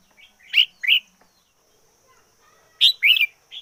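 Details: Red-whiskered bulbul used as a decoy bird, singing hard: two sharp, loud chirpy notes, a long quiet gap, then a lively bubbling phrase of rapid warbled notes and a final short whistle.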